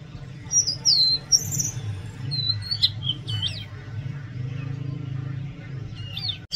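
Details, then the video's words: Oriental magpie-robin song: clear, varied whistles and sharp slurred notes in short bursts, some sweeping high then dropping, over a steady low rumble. "Oriental magpie robin Song"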